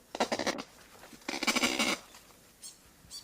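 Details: Female kakapo song: two harsh, nasal, bleating bursts, each about half a second long, then a couple of faint shorter notes.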